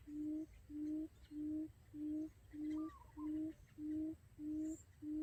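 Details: Trapping lure call of a quail: strong, deep hoots repeated rhythmically, nine in about five seconds, with a faint fluttering whistle from another bird midway.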